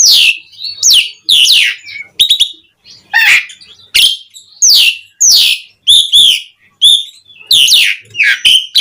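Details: Asian pied starling (jalak suren) song played as a lure to excite other starlings into singing, a busy mix of loud downslurred squeals, rattling clicks and harsh notes.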